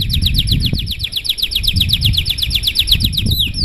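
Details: Canary singing a long, continuous 'gacor' song in a luxurious style, used to prompt other canaries to sing: a fast trill of sharp, repeated high notes, about four per second, over steady low rumbling noise.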